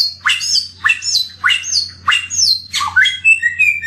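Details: Endemic samyong bird repeating a sharp, squawky upslurred note that bends down into a whistle about every 0.6 seconds, then shifts to softer warbled notes, over a steady low hum.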